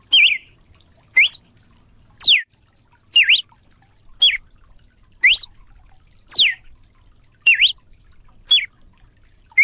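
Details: Red-cowled cardinal song from Brazil: loud, sweet whistled phrases spaced roughly a second apart, alternating downward swoops, upward slurs and wavering notes against a very quiet background.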